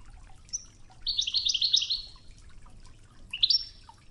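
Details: European goldfinch singing in the Wedani style on a training tape set to murmuring river water: a thin high note, then a fast, tinkling, buzzy twitter run, then a rising chirp, all over soft flowing water.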